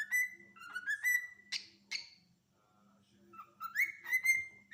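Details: Cockatiel giving sustained whistles and two raspy chirps, then a quiet gap before a rising whistle that steps up and holds steady, with a faint low hum in the background.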